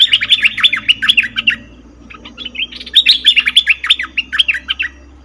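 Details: Cream-vented bulbul lure call for trapping, given as two fast bursts of bubbly, warbling chirps that dip and rise, separated by a brief quieter pause, over a low electrical hum.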